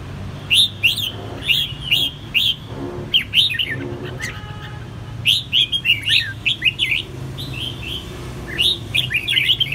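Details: An escaped red-whiskered bulbul responding strongly to a domestic bulbul: bright, bubbly phrases of short, rising-and-falling chirps in quick bursts every second or two over a faint low hum.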